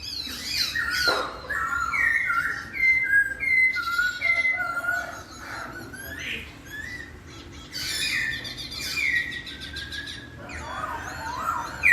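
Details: Laughingthrush giving a melodious song that prompts another to answer at once: a string of whistled, slurred notes mixed with harsher chattering bursts, over low background hum.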